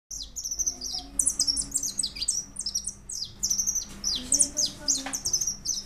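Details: White European goldfinch recorded in 2013, singing a fast, tinkling twitter of high, sharp notes and short slurred whistles in dense, continuous phrases, with a faint low hum underneath.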